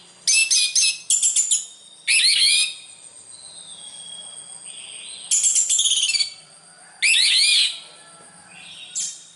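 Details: Orange-headed thrush song in separated bursts of high, fast, rattling-trilled notes and full warbled phrases, with short pauses between and a soft lower whistle in one gap.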